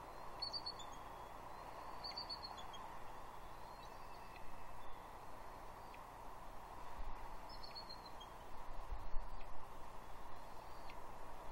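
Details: Juvenile female bald eagle at Two Harbors, Catalina, on 30 June 2021, mantling on a gnarly tree and squeeing at her father for breakfast fish; thin, high, clustered squeals recur in short bursts over a steady, broad wind rumble.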